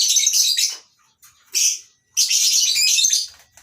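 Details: A morning colony aviary of lovebirds, masked and Fischer's among them, at a breeding farm. Loud, harsh, high shrieking chatter comes in three dense bursts separated by short pauses.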